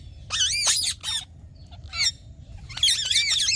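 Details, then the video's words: Green talking parrot delivering loud, dense, wavering squawks in quick bursts, a brief harsh note midway, then a sustained chattering stretch at the end. "Green Talking Parrot | Cute Parrot Sound | smart Talking Parrot | Usa talk Parrot"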